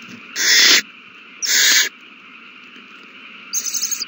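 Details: Owl babies at a nest being fed, 27 March 2020; two loud, harsh hissing screeches followed by a fainter, stuttering, pulsed screech near the end, all over a low constant hum.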